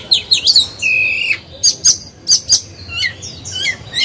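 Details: Oriental magpie-robin in a cage, singing to provoke other birds; opening with looping whistles and a level whistle, followed by a series of short sharp high clicks and thin whistled notes.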